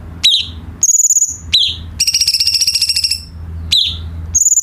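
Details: A light-vented bulbul sings as a tutor for captive birds: falling high notes, a level whistle, a long fast rattling trill, then further falling notes and a whistle.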